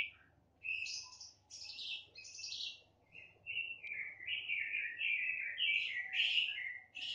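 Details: Black-winged starling recorded on 28 September 2018, singing busy chattering phrases that run into a string of slurred, wavering whistles.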